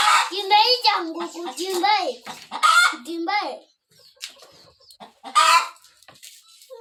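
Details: Village hen about to lay eggs, calling in loud, nasal, arching clucks in quick bursts for the first three and a half seconds, then a final squawk near the end, with a child's voice and speech mixed in.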